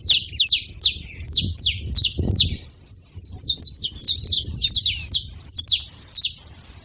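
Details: Several saffron finches making noise together, a dense run of high, sharp, falling chirps and brief buzzy trills, overlapping and irregular, with a soft low thump partway through.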